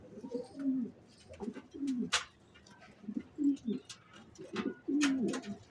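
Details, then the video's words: Racing pigeon uttering repeated, throaty, slightly falling coos roughly every second, with brief gaps between phrases and occasional sharp clicking noises. "Racer Kabuter"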